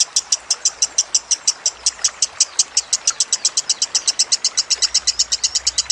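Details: Lovebird heard in a training-song recording mixed with trickling water, giving a long run of about 35 piercing high chirps, evenly spaced at roughly six per second, with a faint low hum beneath.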